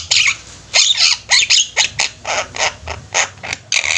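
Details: Javan myna flock in active song, loud grating squawks and raspy chatter repeated several times a second.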